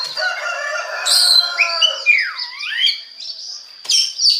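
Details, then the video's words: Oriental magpie-robin song used as a lure to get other magpie-robins singing: sustained high whistles near the top, a long downward-sweeping whistled slur, then bursts of sharp notes and more thin whistles. "DI JAMIN BIKIN KACER LAIN AUTO GACOR DENGAN PANCINGAN BURUNG KACER INI"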